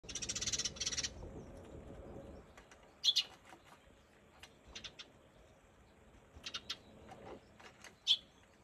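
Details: Eurasian tree sparrow on 17 April gives a few short, sharp chirps, singly and in quick pairs every second or two, after an opening burst of rough, rustling noise.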